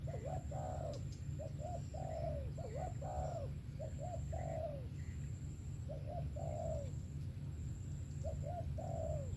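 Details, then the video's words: Spotted dove singing in 'sấm thổ' style: five or six regular phrases, each two or three short clipped coos leading into one longer sliding croo, evenly spaced, with a steady low rumble underneath. "SẤM THỔ TỐT TIẾNG VỀ TÀNG KÈM 123"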